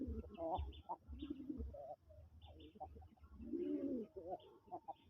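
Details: Big, sky-blue domestic pigeon from a breeding pair, the male giving low, rolling coos that swell and fall, with a man talking over them.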